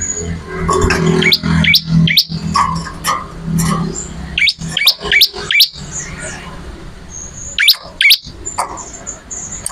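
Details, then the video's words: Bar-winged prinia (ciblek) in lively song, prepared as songbird training material: bursts of quick, sharply rising chirps in short clusters separated by pauses, with a low background hum and faint thin whistles. "MASTERAN BURUNG MATERI CIBLEK ORIGINAL GACOR"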